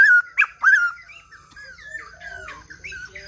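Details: White-crested laughingthrush singing: three loud, slurred whistled notes in the first second, each swooping down then up, followed by a softer run of varied warbled and chattering phrases, with a faint low hum underneath.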